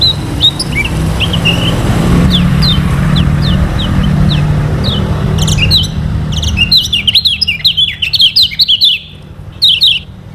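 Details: Lombok yellow kecial, or lemon-bellied white-eye, recorded to train other birds to sing: faint scattered high chirps against low rumbling noise, building into a fast, dense run of sharp chirping notes near the end.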